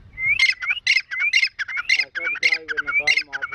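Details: Irani grey partridge, kept as a fighter bird, gives its calling sound: a rhythmic chain of rising whistled notes, each ending in a rattling crackle, repeated about every half second.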